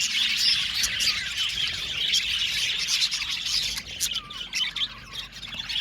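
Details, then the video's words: Budgie colony in an aviary, busy high-pitched twittering with clear squawky chirps early on, then thinning toward the end into scattered short calls and brief gaps. "Beautiful budgies chirping sound"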